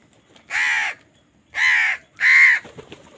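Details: Three loud, raspy caws from a crow fighting for food, each about half a second long and evenly spaced.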